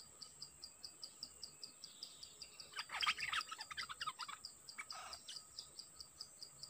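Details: Dok taeng bird used as a decoy to lure a very aggressive wild-caught bird: a sudden burst of rapid chirping and warbled notes midway, over steady, evenly pulsed insect clicking throughout.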